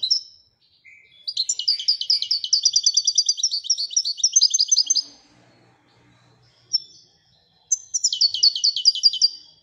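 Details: European goldfinch, named as royal goldfinch, sings a long rapid twittering phrase of nearly four seconds, pauses with a single short note, then restarts the bright jangling twitter.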